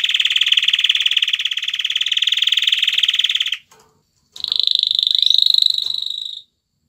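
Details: Male canary dancing around a female to court her and stimulate mating: a loud, dense buzzy trill held for about three and a half seconds, a brief pause, then a higher, steadier rolling trill lasting two seconds.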